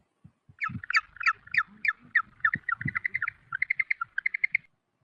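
A penguin gives a harsh, brassy braying series, longer notes at first, then quick, shorter ones, about twenty in five seconds, over low thumping in the background.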